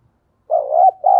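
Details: Decoy spotted dove giving its calling coo: after a short silence, a mellow, wavering low coo followed by a brief break and a second sustained, steady hooting note.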